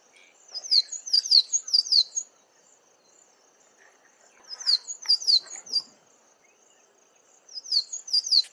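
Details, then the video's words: Male Cabanis's bunting singing from a treetop: three short, high phrases of thin, rapid downslurred notes, each a second or so, separated by brief pauses, over faint background hiss. "CABANIS'S BUNTING singing"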